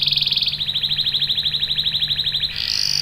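A canary delivers a long, fast rolling trill of high bright notes, about twenty pulses in two seconds, ending on a higher buzzy phrase over a low hum.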